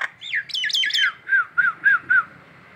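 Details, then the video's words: Morning ngekek calling by a collared kingfisher in Indonesia: a tumbling burst of falling notes, then four evenly spaced, short, slurred notes at a lower pitch. "si jabrik ngekek pagi,pagi"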